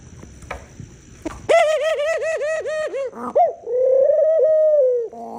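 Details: Tame pet dove kept by a family: after a quiet start, a rapid run of about a dozen short, ringing cooing notes, a brief pause with a louder note, then one long sustained coo that fades out.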